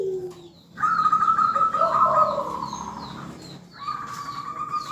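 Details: Local zebra dove song used to lure others into calling: a low coo, then a rolling trilled phrase at mid pitch overlapping another dove's trill, with faint high chirps of small birds in the background.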